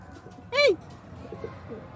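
A yellow-crested cockatoo gives one loud, rising-then-falling nasal call lasting a quarter second, followed by a few faint, softer notes over quiet background hiss.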